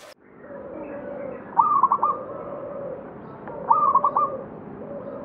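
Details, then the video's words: Zebra dove of the local type at the Candi Rimbi ruins, Pulosari village, Jombang, in hills below Mount Anjasmoro; two crisp rippling coo phrases of about four notes, two seconds apart, over a steady low humming coo. "SUARA PERKUTUT LOKAL MELEGENDA CANDI RIMBI JOMBANG"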